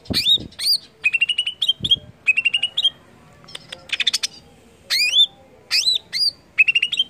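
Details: Greater green leafbird singing to set other leafbirds singing: repeated phrases of rapid chirps ending in rising whistles, with sharp descending notes and a few low thuds.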